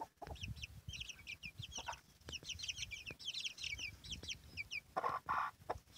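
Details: Hen with her chicks: many shrill, downward-slurred chick peeps overlap continuously, while deeper clucking sounds from the hen and low rumbling noise come through beneath them.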